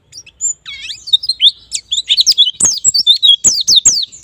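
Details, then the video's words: White-eye song used as a lure to get birds singing fast in the ngalas and nembak manner: a soft warbled start builds into dense, bright twittering of quick downslurred notes, with dry clicks between. "Pancingan Pleci Bahan Agar Cepat Bunyi Ngalas Dan Nembak"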